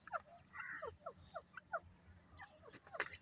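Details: Francolin known locally as Irani teetar, calling in short, descending chirps spaced a few tenths of a second apart, fainter and quieter than a loud ringing burst near the close, over a soft low rumble.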